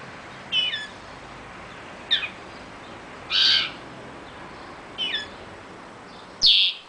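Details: Young linnet and greenfinch hybrid (male linnet, female greenfinch). It makes five short, buzzy, rasping notes at uneven intervals, some harsher and louder, against low background hiss.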